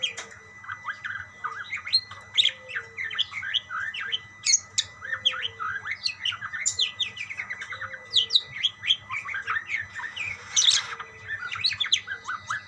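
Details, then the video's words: Budgerigars calling to each other in continuous busy chatter: rapid high chirps, squeaks and short warbles tumbling together, with one harsher burst near the end. "burung parkit bersautan"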